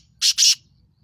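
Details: Black francolin from Sindh uttering two loud, grating, rasping notes in quick succession, with a faint low rumble in the background.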